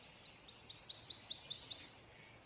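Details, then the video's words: A male prothonotary warbler sings a quick run of about eight loud, ringing, high sweet notes, each sharply slurred, repeated several times a second over two seconds. "Prothonotary warbler song / call / sound"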